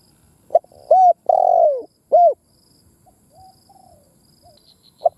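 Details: Spotted dove used as a decoy to excite male birds, giving a phrase of a brief note, a hooted coo, a long falling coo and another coo, then soft faint murmurs before a new note begins.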